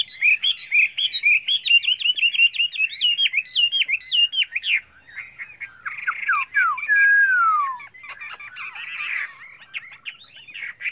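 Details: Many-voiced Chinese hwamei song: rapid chains of short whistled notes, a long clear whistle sliding downward, then harsh buzzy bursts and scattered chips.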